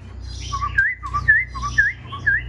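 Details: Caged Black-throated laughingthrush whistling short wavering phrases that alternate between a lower and a higher pitch, about two per second, over a steady low mechanical hum.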